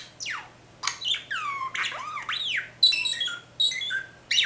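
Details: A budgerigar imitates R2-D2, the Star Wars robot, with quick electronic-sounding beeps, swooping whistles and chirps.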